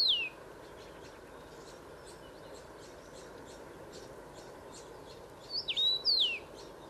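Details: Male common rosefinch, one of two males at Szenéte, Transylvania, Romania, singing clear, slurred whistles: one falling note, then after a pause three or four rising and falling whistles, over faint background hiss.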